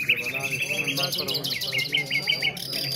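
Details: Short burst from an Afghan nightingale competition: a sharp rising note, then a quick line of bright downslurred chirps about five per second, with other birds behind and a low hum of voices.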